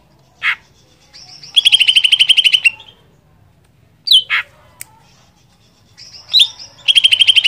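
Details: Greater green leafbird singing vigorously; a lone chip, then a fast rattling trill of about a second, a pause with sharp clipped notes, and another rattling trill to finish.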